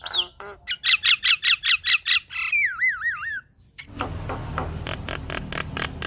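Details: Javan myna masteran and pancingan recording for training mynas to sing: a fast run of about nine harsh chattering notes, then a wavering whistled warble, ending in a burst of broadband noise and rapid clicks.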